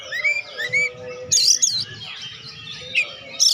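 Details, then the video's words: Oriental magpie-robin singing as a stimulus for lazy birds: soft rising whistles, then harsh buzzy bursts and a drawn-out quieter warble, low background hum throughout. "BURUNG KACER GACOR.COCOK UNTUK PERANGSANG KACER YG MALAS BUNYI"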